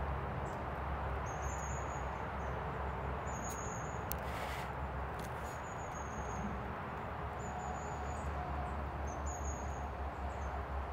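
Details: Long-tailed tit at the ponds by the old brickworks, Vrhnika, on 13 December 2022: thin, very high-pitched trilling calls, about one short burst every two seconds, over a steady low rumble of distant traffic or wind.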